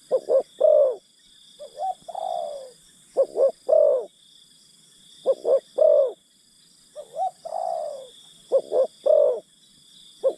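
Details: Caged spotted dove used as a decoy to lure wild doves: repeated three-note cooing phrases, two short notes then a longer rolling coo, every two to three seconds, with softer slurred coos between and a steady high-pitched drone behind.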